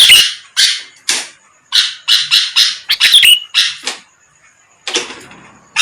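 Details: Lure recording of a sooty-headed bulbul aimed at rival birds; irregular rough, scratchy bursts with a quick whistled flick inside some, separated by uneven silences and a longer pause near the end.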